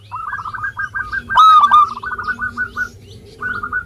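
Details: Local zebra dove singing strongly as a lure for lazy singers: an almost continuous stream of rapid soft hooked cooing notes, broken once by a loud drawn-out ringing coo.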